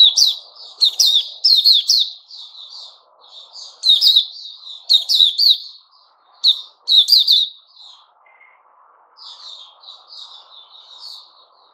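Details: White-rumped shama known as Puteh Raja, recorded 29 August 2021, singing loud bursts of sharp, ringing high notes in quick clusters, interleaved with softer warbled phrases and a faint low hiss underneath.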